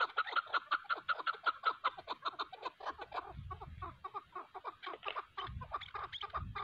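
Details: Chukar partridges, hunting decoy and wild mountain bird, in a fierce fight; quick run of clear clucks at the start, then ragged chattering mixed with low scuffling thuds.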